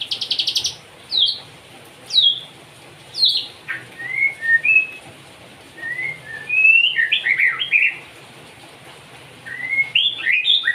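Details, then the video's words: White-rumped shama singing, with bright high whistled notes and quick slurred phrases, separated by short pauses, plus some rapid buzzy bursts over steady low background noise. "MURAI BATU NEMBAK CIGUN"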